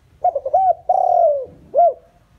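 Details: Decoy spotted dove giving a lure call to draw in wild doves: two quick short coos, then a long, smooth, descending coo and one arched final note, all low and mellow. The room is quiet.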